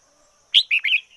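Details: Decoy red-whiskered bulbul giving one quick phrase: a sharp high note, then two warbling whistled notes that dip and rise.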